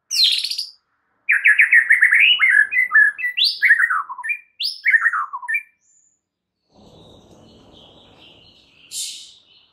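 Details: White-rumped shama song meant to provoke and agitate other shamas: loud varied phrases of slurred descending whistles and rich warbles, then a pause with faint background noise and a short high note near the end.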